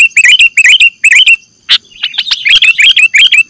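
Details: Sooty-headed bulbul, used as a lure to catch birds: repeated groups of rolling, up-and-down chirped notes, a sharp single click mid-way, then a fast lively chatter of overlapping calls.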